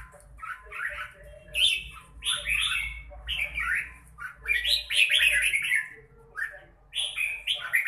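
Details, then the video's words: Red-whiskered bulbul singing repeated lively warbled phrases, some slurred downward, with short gaps between them and a faint low hum beneath. "Chào mào bộ đẹp lối chơi mãng nhãn"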